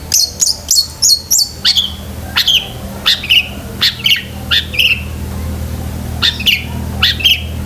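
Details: Long-tailed shrike, song for training pet shrikes: a fast series of sharp high chips, then repeated short downslurred whistled notes spaced about every half second, with a faint low hum behind.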